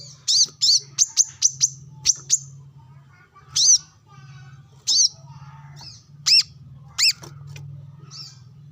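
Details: Brown-throated sunbird sunbathing and calling to opponents alongside wild birds. A rapid burst of high chirps is followed by slower, louder single notes, some with a clear ringing tone. A low hum runs throughout.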